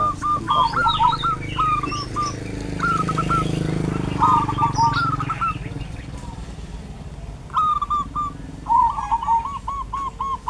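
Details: Zebra dove singing in a peaceful village in rural Kebumen, Indonesia: short phrases of soft, rolling coos near one pitch, a quick trill followed by a run of clipped notes, repeated several times, over motorcycle engine rumble and distant voices.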